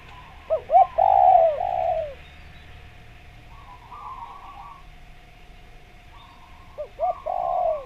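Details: Spotted dove from Java, a lively caller used as a lure for trapping wild doves: a short pair of rising notes, then a long falling coo. After a quiet gap with a steady background hum, another burst follows.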